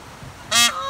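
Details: Peahen giving one brief, loud, nasal honk, bright and harsh with many harmonics, lasting under half a second and followed by a quieter drawn-out tail; only low background hiss otherwise.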